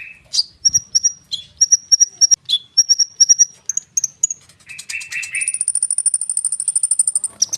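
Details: Common iora in full song, used as a lure so young sunbirds respond quickly. Clear, piercing whistled notes repeat in even series, shifting pitch, followed by a buzzy burst and a long, very rapid high trill.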